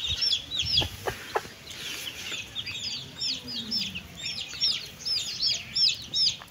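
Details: Chicks and hen eating: clear, high chick peeps, many curling downward, in rapid, uneven series, a few sharp clicks early on, and a faint low sliding note midway.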